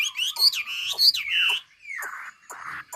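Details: Ha Giang hwamei song from Vietnam, meant for training birds to sing: bright ringing whistles rising and falling in quick succession, then softer slurred down-sweeping notes with short pauses.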